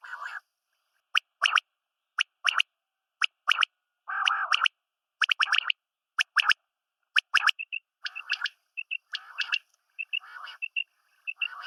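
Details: Female and male quail (batair) calling together in short, harsh, buzzy bursts, often paired, about every second, with clear high whistled notes joining toward the end.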